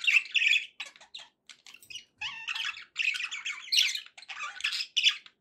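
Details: Happy pet budgie sounds, choppy bursts of scratchy chirps and buzzy warbling chatter, separated by brief silent gaps.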